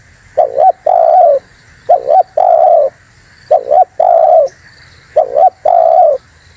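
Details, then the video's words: Spotted dove call for luring and provoking wild doves: a quick two-humped coo followed by a long, even, low coo, the phrase repeating every 1.5 seconds or so, four times. "SUARA BURUNG TEKUKUR UNTUK PIKAT DAN PANCINGAN"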